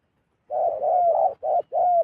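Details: Zebra dove calling as a wild zebra dove flies down toward a decoy bird: a run of mid-pitched, rolling coo notes, some joined into a long burred phrase, the last with a smooth falling tail.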